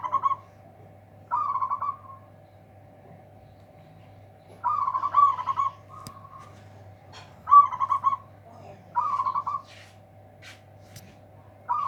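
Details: A zebra dove of local stock sings its powerful song to outdo rivals: short bursts of fast, rolling coos repeated several times, with brief quieter notes between and a constant low mechanical hum behind.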